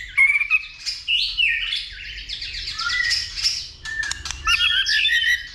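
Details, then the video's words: Fighting song from a white-rumped shama excited by a female: loud whistled notes, a few sweeping glides, a brief quieter stretch, then sharp high phrases. "Chòe lửa kích lửa DÌU BỔI,tạch liên tục đập đuôi kích chòe lửa lên lửa hót đấu"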